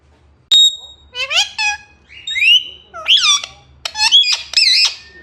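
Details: Parrot saying "mian mithu": after a sharp high whistle, a string of harsh, nasal speech-like syllables with sliding tones and squawks, quiet room behind.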